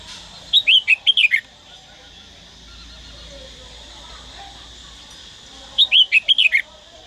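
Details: Red-whiskered bulbul from Daklak, kept for song training, gives two bright warbled phrases of about six to seven quick whistled notes that rise and fall, separated by roughly four seconds of quiet with a faint background hum.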